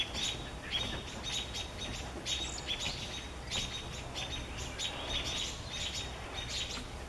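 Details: American robins protecting their young give sharp, high chirping alarm notes in rapid irregular bursts while mobbing a great horned owl, over a steady low outdoor rumble.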